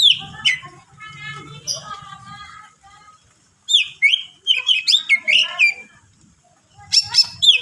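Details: Greater green leafbird singing to provoke other leafbirds, in 'full isian' style. Bubbly, buzzy warbles over low noise give way to a fast series of sharp, bending whistles, then a final high burst.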